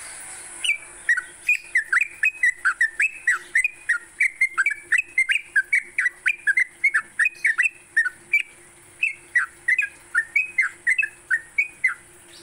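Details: Sooty-headed bulbul song recorded for training songbirds in the morning: a long, busy run of quick chuckling whistles rising and falling, briefly pausing near the end, against a steady high whine.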